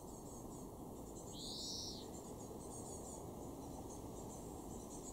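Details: Single drawn-out buzzy wheeze from a European greenfinch in a garden in Weener, East Frisia, north-west Germany, recorded June 2024. The call lasts under a second, with faint high ticking and steady low rumble around it.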